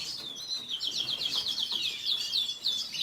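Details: Venezuelan red siskin sings a quick series of high, evenly repeated chirping notes, like a bright twittering trill, rising and falling slightly across the phrase.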